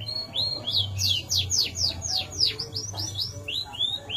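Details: Big-bodied YS FOI and F1 YS canaries singing energetically in captivity: a fast run of bright, high whistled notes sweeping down, repeated about four times a second with a brief rattled trill.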